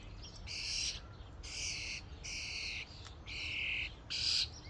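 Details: Common starlings invading a feeding station as a flock; harsh, buzzy, broadband bursts about half a second long, repeated roughly every second, with low background rumble.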